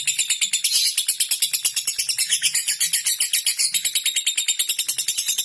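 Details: Lovebird chattering ngekek-style to call and challenge rivals: a rapid, harsh, high chatter of pulses, a little uneven in loudness, with a faint low background hum in places.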